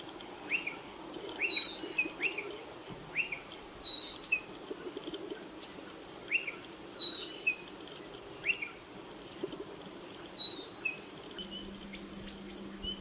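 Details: Spotted pardalote giving a steady series of high piping notes, paired high and lower whistles repeated roughly every one to one and a half seconds, with a faint low hum late in the recording.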